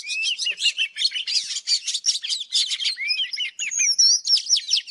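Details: An old wild Oriental magpie-robin sings in the morning in the forest, a rich, varied stream of clear whistles with quick rising and falling slurs and sweeping notes, delivered almost without pause.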